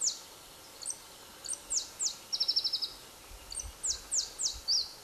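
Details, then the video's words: Pallas's leaf warbler song in July, Khovsgol Aimag, Mongolia: loud, very high downslurred whistles spaced out, a short buzzy trill in the middle, more sweeping notes after, quiet background. "Pallas's Leaf Warbler"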